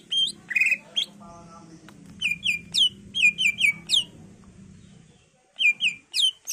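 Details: Greater green leafbird in varied song for luring other leafbirds to answer: mixed chirps and sweeping whistled notes in bursts, over a steady low hum from the surroundings.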